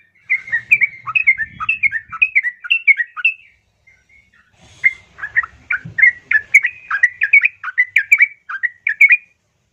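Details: Female yellow-vented bulbul calling the male, a lure sound for slow-singing birds: long runs of liquid, bubbling, up-and-down notes with a brief gap midway and faint low rumbling underneath.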